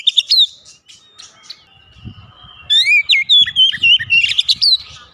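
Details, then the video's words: Oriental magpie-robin singing, for a caged home bird that sings little: an opening whistled flourish, a thin sustained note with low knocking sounds, then a lively run of looping, slurred whistles. "mengatasi Kacer rumahan susah bunyi lekas gacor"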